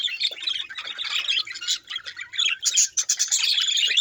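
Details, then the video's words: Chattering budgerigars: rapid, scratchy, high warbles and squawks overlapping in a busy flock, with a brief dip in loudness midway before the chatter surges again. "Do Budgies Get Jealous Watch This Drama Unfold!"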